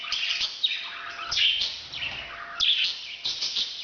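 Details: Breeding sound of a parrot, a string of scratchy, raspy chirps and squeaky rising-falling notes delivered in loose irregular bursts about once a second, with a faint constant background hum.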